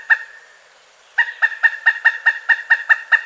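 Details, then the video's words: Pileated woodpecker of North America giving its calls: one held note, a short pause, then a run of loud, clipped kuk notes about five per second, each with bright stacked overtones. "Pileated Woodpecker Sounds: Call, Drumming, Mating Voice & More Explained!"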